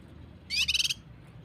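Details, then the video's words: Cucak kinoi training recording in the 'tembakan rapat' style for prompting birds to sing: one brief harsh, buzzy rattle of rapid pulses, about half a second long. "Masteran cucak kinoi tembakan s4d1s tembakan rapat | pancingan cucak kinoi"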